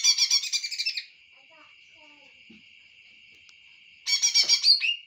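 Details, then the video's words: Greater green leafbird song in bursts: a second of fast, dense, bright chattering notes, then a long steady held whistle, then another vigorous burst of rapid high warbling. "cucak hijau "raja tega""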